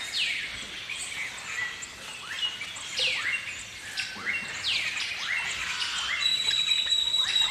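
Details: Harsh, downward-sweeping shrieks of the Galah, an Australian cockatoo, repeated rapidly and unevenly, several callers overlapping, with a steady high whistle from another bird near the end and a busy chirping chorus behind.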